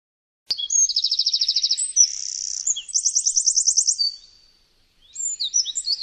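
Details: Eurasian wren in full song: a loud, fast, high trill of evenly spaced pulses, a short buzzy stretch, a second, higher rapid trill, then after a brief pause another run of sharp twittering notes.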